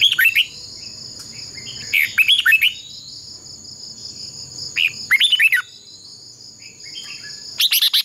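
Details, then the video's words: Red-whiskered bulbul decoy in a singing duel meant to train and provoke other birds; repeated short phrases of bright, tumbling whistled notes roughly every two to three seconds over a steady high-pitched hum. "Chào mào mồi hót đấu quá tuyệt!! - Luyện giọng Chào mào hót hay ép bổi sổ bọng và căng lửa"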